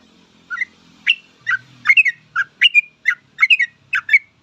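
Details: Sooty-headed bulbul delivering energetic 'full ropel' song for use as a training master: paired and tripled bubbly chirps in quick bursts, about two per second, over a faint low hum.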